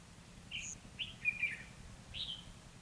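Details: Red-whiskered bulbul's fighting song from a lure trap session on 29/2/2016; a quick sequence of clear whistled chirps, one slightly drawn-out warbled note, over faint low hum.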